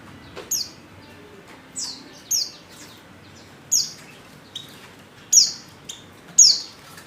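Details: Female Oriental white-eye lure call used to set males singing: crisp high downslurred tweets, six or seven spaced through seven seconds, some paired, against a quiet background.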